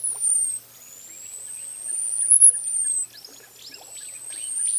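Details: Costa's hummingbird song: a thin, extremely high whistle that slides up to a peak and trails down, drawn out over several seconds, with faint chatter in the background.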